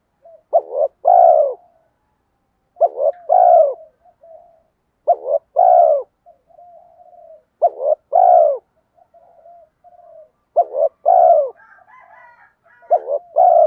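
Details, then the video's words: Spotted dove, a decoy in the 'giọng đồng' voice, luring wild doves: six coo phrases, each a broken double note then a long falling coo, repeated roughly every two and a half seconds, with a brief higher chatter near the end. "Cu gáy giọng đồng pha thúc Gù Kèm Mắt Me rút chim bổi cu gáy rừng nhanh về cội"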